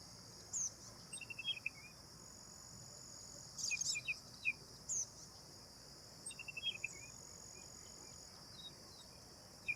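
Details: Black drongo (Dicrurus macrocercus) calling in brief clusters of high, metallic chirps and rasping notes with a fast series of even pips, separated by short pauses, while crickets keep up a constant high buzz.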